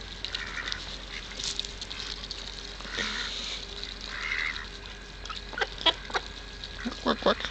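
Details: Ducks at the Kirchsee in Preetz call while hungry and being fed: drawn-out nasal quacks at intervals, then a burst of sharper clicks and calls near the end, with a person's voice nearby.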